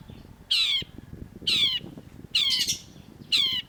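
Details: Long-tailed shrike calling sharply on a cage-bird training master: four loud, rasping, scolding notes, each about a quarter-second long, repeated roughly once a second.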